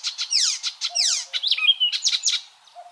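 Icterine warbler song: a fast, varied jumble of high chirps, down-slurred sweeps, harsh buzzy notes and a few clear whistles, delivered without pause.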